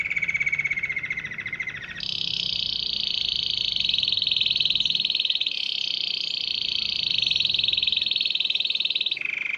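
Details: Canary whose song attracted many canaries, goldfinches and other wild birds: a low rapid trill, then a jump to a higher, buzzy sustained roll lasting about seven seconds, ending with a return to a lower note.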